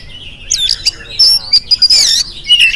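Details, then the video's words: Morning song of an oriental magpie-robin in full voice, used as a lure to set other birds singing. A brisk run of piercing whistles, scratchy rasps and clipped chirps packs a few seconds. "PANCINGAN AWAL SUARA KACER GACOR DI PAGI HARI KACER APA SAJA LANGSUNG NYAUT IKUT BUNYI"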